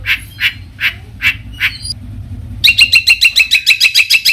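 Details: Long-tailed shrike singing to make other shrikes respond: five rasping squawks, then a fast, even rattle of sharp high notes, several per second.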